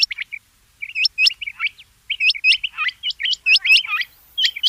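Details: Rain quail calls: clusters of sharp, high whistled notes, each bending upward, repeated rapidly in short irregular bursts over a quiet background.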